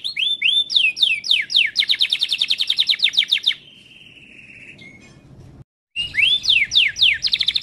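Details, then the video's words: Timbrado canary in training song, sweeping whistled notes giving way to a fast buzzing roll, then a soft drawn-out whistle, a brief silence, and renewed sweeping notes. "TIMBRADO CANARIES - CANARY SINGING MOST SPECTACULAR VIDEO TRAINING SONG"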